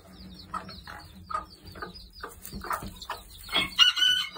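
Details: Very protective backyard mother hen feeding with her chicks in the evening: steady soft clucks about twice a second under faint high peeps, swelling into louder harsh squawks at the end.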